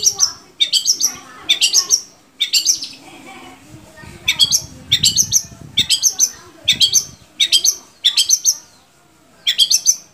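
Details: Long-tailed shrike song played to stimulate caged shrikes to sing: clusters of sharp, high, scratchy notes delivered in short bursts about every second, separated by brief pauses.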